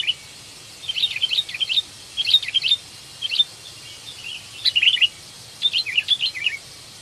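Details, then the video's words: Kutilang ranting, a sooty-headed bulbul, calls to find a mate, the recording serving as a lure for bird trapping; about five clusters of rapid, liquid whistled notes spread over seven seconds, with brief pauses between. "Panggilan Kutilang Ranting Mencari Kawan"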